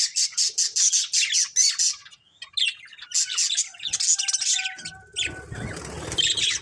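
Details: Several colourful budgies in a family group chatter in fast, high, scratchy chirps repeated in quick rhythmic bursts, with a few thin steady whistles and a noisier rustling stretch near the end.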